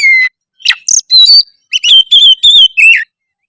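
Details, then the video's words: Oriental magpie-robin singing energetically: a clear whistled note, then a quick run of sharp chirps, rising and falling whistles and a jumbled high phrase ending on a downslurred whistle. "suara kacer gacor"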